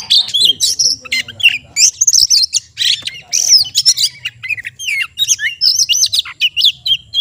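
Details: Oriental magpie-robin (kacer), a collected cage bird in full gacor song: a dense, rapid medley of sharp chips, squeaky notes and short whistles, almost without pause.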